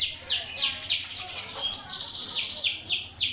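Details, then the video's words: A starling delivers master song for other birds, with dense, raspy notes sweeping down in quick succession and a high whistled tone sounding briefly in the middle. "Suara Masteran burung jalak"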